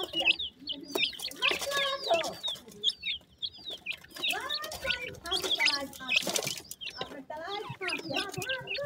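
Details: Yellow partridge chicks being fed: a dense, overlapping chorus of high, downward-slurred peeps and chirps with several lower, rounder chirping notes mixed in, continuous throughout.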